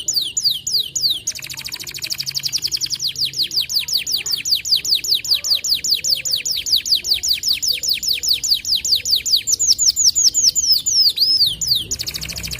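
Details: White canary in full song with long bursts: a sustained run of high, rapid, evenly repeated down-slurred notes lasting many seconds, broken only by a short change of phrase near the end.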